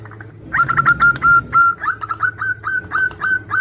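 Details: Zebra doves of local type calling back and forth, a female calling the male; rapid whistled notes, some drawn out and others slurred, coming in a fast uneven string over a low hum.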